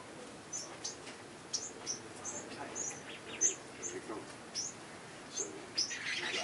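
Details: Small birds at a garden feeder in coastal Santa Cruz, California give high, thin chirps and short tweets, scattered irregularly a few per second, over a soft background hiss.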